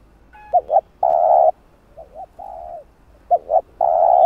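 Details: Vietnamese 'gọi thúc gù' spotted dove call, meant to stir wild birds toward a trap. Paired short hoots lead into a long, steady, husky coo. The phrase repeats three times, the middle one much softer.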